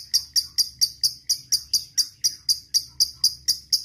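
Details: Long ngekek chatter from a fighter lovebird calling out to a rival for song training: about sixteen clipped, piercing, buzzy notes in an even, unbroken series.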